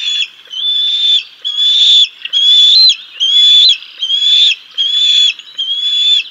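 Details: Bald eagle nest at Decorah North, 6 May 2022, chicks being fed a fish by their father: a steady series of high, piercing whistled calls, each about half a second long, repeated roughly once a second.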